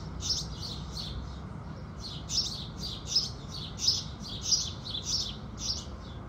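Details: Sunrise singing of house sparrows: a few scattered chirps, then a quick, busy burst of high, clipped chirps tumbling almost twice per second, with a low background murmur throughout.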